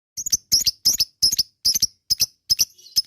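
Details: Lovebird giving short, high, harsh chirps in tight clusters of two or three. The clusters repeat about every third of a second, and a faint squeak sits between them. The recording is used as a lure to draw out long ngekek trills.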